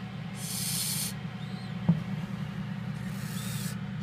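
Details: Captive Indian scops owl chicks, hatched 12 and 14 May 2014: two broad, breathy hisses, each under a second, about two seconds apart, over a steady low mechanical hum with a faint click between.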